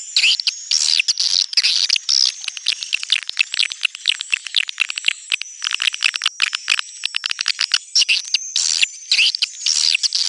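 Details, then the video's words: Busy, high-pitched swiftlet twittering in neutral sound: clustered buzzy chirps with a steady thin whistle above, pausing briefly now and then. "SUARA BURUNG WALETNETRAL soUND"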